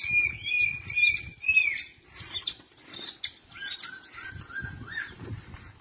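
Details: Long-tailed shrike song: clear level whistled notes repeated in a short series, then a varied jumble of scratchy chatter, buzzy phrases and drawn-out mid-pitched whistles, with soft rustling and fluttering underneath.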